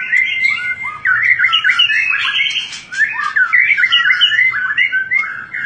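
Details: A white-rumped shama of the fighter type delivers a busy, fast-changing song of sweet whistles mixed with harsh chatters and short trills, almost without pause, over a faint low hum.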